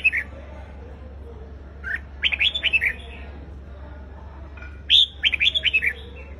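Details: A red-whiskered bulbul gives competitive fighting song, two bright, bubbly phrases of quick rising and falling whistled notes, about four seconds apart, over a low steady hum.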